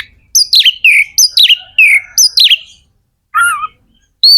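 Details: Oriental magpie-robin singing, meant to rouse other birds of its kind to sing. Repeated shrill phrases swoop downward in quick succession. After a pause come a lower warbled phrase and one high whistle.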